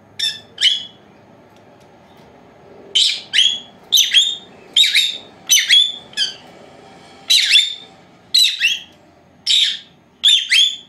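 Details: Two four-month-old female lovebirds, kept as pets indoors, napping; sharp high chirps come in short bursts of one or two, separated by pauses of about a second, over a faint low indoor hum.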